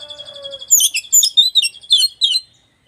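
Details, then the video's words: West Java white-rumped shama in song that riles rival shamas: a held steady whistle opens, then a rapid run of rich, varied, rising and falling whistled phrases in quick clusters before ending abruptly. "kacer lain emosi denger suara kacer jabar ini"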